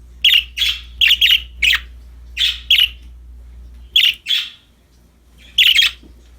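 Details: Happy budgerigars playing with a new toy give loud, harsh, scratchy chirps, singly and in quick pairs, about ten over six seconds with short silent gaps, above a faint low hum.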